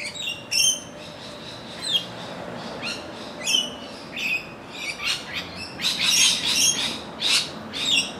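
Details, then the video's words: Rainbow lorikeets of Australia chattering in a busy mix of sharp chirps and harsh screechy notes at irregular intervals, several birds overlapping toward the end. "Australian Rainbow Lorikeets"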